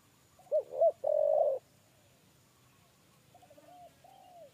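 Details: Spotted dove giving a three-note "kuk 3" coo while being chased into a trap cage. Two short mellow notes, then a sustained one, with faint distant coos trailing afterward.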